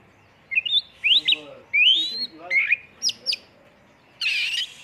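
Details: Oriental magpie-robin lure song, full-filler 'tembakan' style: rising whistled slurs and quick sweeping notes, two sharp high chips, ending in a harsh rasping burst.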